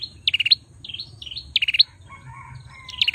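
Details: Singing male bar-winged prinia: rapid rattling bursts of four or five high buzzy pulses alternating with softer dipping whistled notes, repeated about every second and a quarter.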